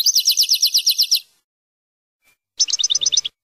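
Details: European goldfinch from Algeria delivering a fast, even trill of bright, ringing high notes for over a second, a pause, then a shorter, similar trill in a quiet setting.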